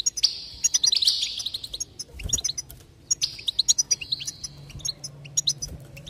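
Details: Goldfinch singing, from a recording intended to stimulate singing: two rich twittering phrases with buzzy, nasal trills and quick tinkling notes, separated by scattered sharp chirps and a soft low thump.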